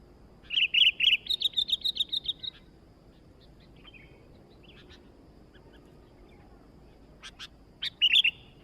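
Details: Sooty-headed bulbul in full song: a rapid run of about ten chirpy, bubbling notes over two seconds, a pause with a few faint ticks and clicks, then a closing cluster of bright notes.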